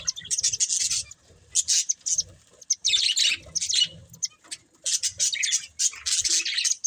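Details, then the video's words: Budgerigars in a breeding pair chirping in clustered bursts of harsh, high chatter and squawky notes, each burst about a second long with quiet gaps between. "Cute Budgies Chirping Sounds"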